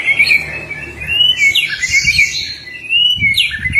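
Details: Male white-rumped shama courting a female: clear whistled phrases, some level, some sweeping upward or dropping, with a few brighter high notes, delivered in an uneven flowing sequence with faint low rumble beneath.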